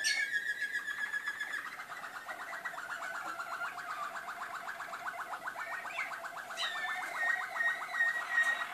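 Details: Malinois (waterslager) canary song from Skopje: low, rapidly repeated rolling tours pulsing steadily near one pitch, shifting between slower and faster rolls, with brief bright whistled notes near the start and end.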